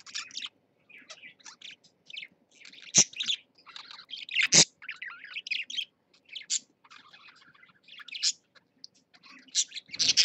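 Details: Parakeets in a cage give scattered high chirps and warbles with sharper squeaks, broken by two loud knocking clicks near the middle and a thump at the end.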